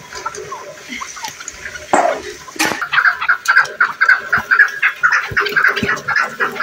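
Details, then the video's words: A chukar partridge gives a steady run of harsh, clucking chuk notes, about two per second, after a few loud rustling bursts. "KEKLİK SESİ - CHUKAR PARTRİDGE"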